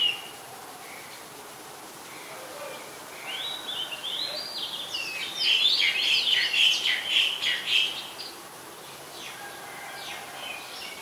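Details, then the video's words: Oriental magpie-robin singing in Ubon Ratchathani, Thailand, on 2 July 2022, recorded with a Nikon P1000; a faint start builds into a dense run of quick, chattering, whistled notes midway, then fades again. "นกกางเขนบ้าน Oriental Magpie Robin (singing)"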